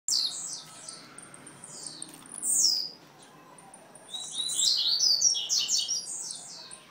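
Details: Young blue-black grassquit (Volatinia jacarina) from Jacarepaguá, Rio de Janeiro, singing: thin, very high, buzzy chirps in quick bursts with short pauses between phrases over faint background hiss.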